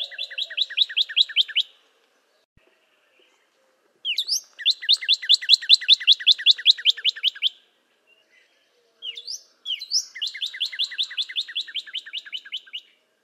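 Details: Northern cardinal song in three long phrases, each a fast, even trill of repeated two-part whistled notes, with silent gaps between phrases.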